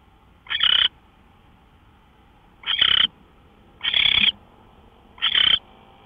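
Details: Owl, 5:27 AM on 24 March 2013, sounding four coarse hissing screeches; a long pause after the first, then three at about one-second intervals, with soft background hum.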